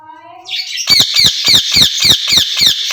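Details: Caged rose-ringed parakeets, two birds said to talk to each other in Urdu or Hindi; a faint tonal phrase gives way to a fast run of harsh, piercing squawks, about three a second.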